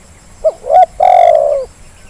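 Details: One Zebra dove phrase played to make lazy birds call: a short soft coo, a rising note, a brief pause, then a prolonged rolling coo that gradually falls in pitch and fades out.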